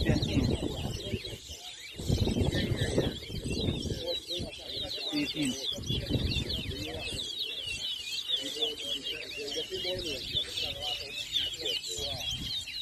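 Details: At a towa towa singing race in Anna Regina park, Essequibo, Guyana, in 2023, a long unbroken stream of quick chattering, warbling song continues throughout while loud talking and crowd noise dominate the low end.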